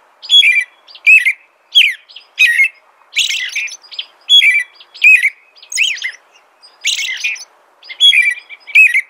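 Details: An American robin sings rhythmic whistled phrases, roughly eighty a minute, alternating clear downslurred notes with denser, buzzier high ones.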